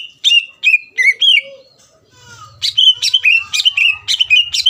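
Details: Greater green leafbird, kept caged, singing to goad a rival: sharp whistled notes with bending tails, a quiet pause with faint rattling, then rapid whistles returning amid a low buzzing background.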